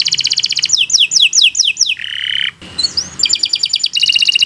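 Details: Caged-bird tutor song from a canary: a fast trill, a run of swooping whistles, a short buzzy note, a brief rising whistle, then rapid trills again.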